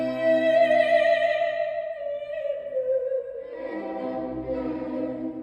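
A trained operatic voice sings sustained, vibrato-rich notes that slide downward, with no animal sound present.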